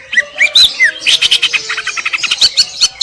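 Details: Greater green leafbird giving a short burst of song: a few clear whistled slurs, then a dense chattering series of scratchy chips.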